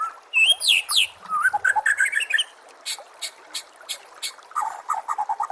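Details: White-rumped shama, likely captive, singing a training song meant to make other shamas answer and sing: rapid varied phrases of rising whistles, sharp clicks and buzzy bursts, packed densely and then breaking into quick repeated chips near the end.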